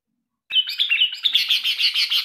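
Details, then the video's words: Tame, trained sooty-headed bulbul kept as a decoy and tutor bird for lazy singers; a loud, continuous run of bright chattering notes tumbling and warbling without pause for nearly two seconds, clear of other sounds. "melatih burung kutilang pikat"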